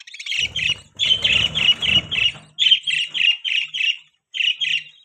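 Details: Lively budgie chirping: fast strings of harsh, high chirps. The first half has rustling underneath, then a brief pause before a final pair of notes.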